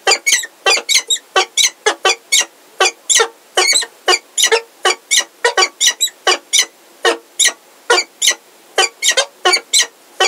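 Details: Peregrine falcons in Heidelberg, the male Zephyr and a new unringed female, on 17 February 2023 in the afternoon, giving loud, harsh, rasping calls, about three to four per second, held steady throughout.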